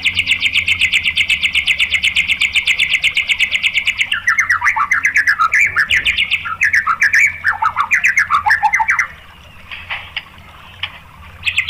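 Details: White-rumped shama song played to provoke other shamas: a long fast steady trill, then a jumbled burst of varied sharp notes, a quiet gap and a few final notes.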